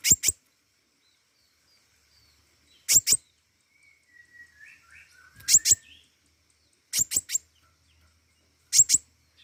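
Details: Flowerpecker, called pentis raja, singing actively: sharp, very high ticking notes in quick pairs and triplets every few seconds, with soft thin whistles between bursts.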